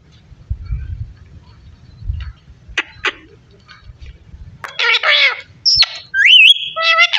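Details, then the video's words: After quiet low rumbling and two faint clicks, a parrot bursts into raspy, speech-like chatter, then a bright rising whistle and warbling notes near the end. "So sweet parrot talking"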